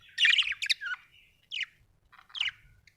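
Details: Budgie producing scratchy chirps and a drawn-out buzzy note, followed by two shorter raspy chirps after pauses.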